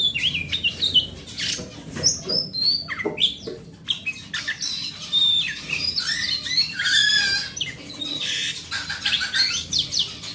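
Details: Oriental magpie-robin of forest stock in full voice, a lure for a magpie-robin that has stopped singing: clear whistled notes mixed with harsh chatters and quick trills, phrases shifting constantly, faint background hum.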